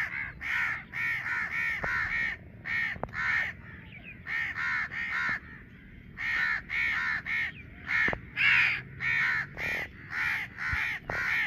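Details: Baby crow amid its noisy parents outdoors: a long series of rough, grating caws in quick clusters, nearly two per second, briefly pausing before resuming louder, with faint low rumble beneath.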